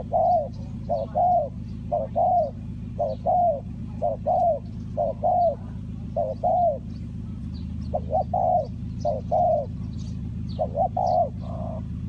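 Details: Spotted dove calling as a lure for wild doves at a bird trap, Ninh Thuận: a steady series of short, low coos in twos and threes, roughly one phrase per second, over a constant low rumble.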